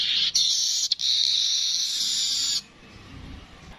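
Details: Streaked weaver (manyar kepala kuning) producing a continuous high, hissing buzz for about two and a half seconds, briefly broken twice, then silence with faint low background noise.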